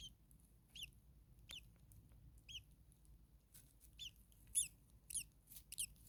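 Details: Common starling nestlings in a very hot attic nest with a parent close by: soft, spaced high squeaks every second or so, turning into a quicker cluster of sharper calls near the end.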